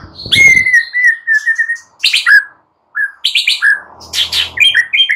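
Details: Morning shama song used to stimulate silent birds: a long drawn whistle sliding down, then bursts of sharp, high chattering notes and short slurs after a brief pause.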